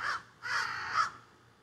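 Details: Crows that flew into trees behind a backyard give three loud, raspy caws in quick succession, the middle one drawn out longer, recorded close on a phone.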